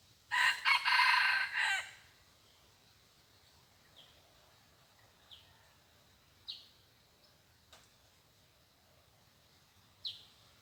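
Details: Wild red junglefowl lured with a decoy, reported to crow just twice: a loud rasping multi-part crow lasting over a second, then scattered short high downslurred chirps every couple of seconds in quiet surroundings.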